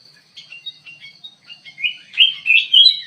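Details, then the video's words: A run of short chirps from a ruby-throated bulbul in an aviary builds into louder, rich slurred whistles toward the end, about three notes a second. "KUTILANG EMAS GACOR DIDALAM AVIARY"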